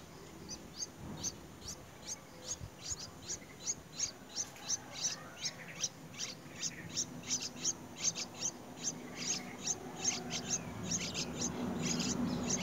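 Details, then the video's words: White-browed bird feeding its young with a very large insect; high, sharp chirps repeated rapidly, roughly two or three per second, steady through the clip. "The white-browed bird brought a very large insect to feed his young."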